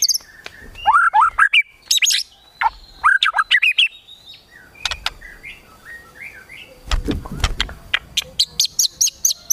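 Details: Kretekan tembakan singing of a white-rumped shama, intended to provoke emotion, mixing sharp clicks with short slurred whistles, a quieter stretch of soft notes, then rapid repeated ticking bursts.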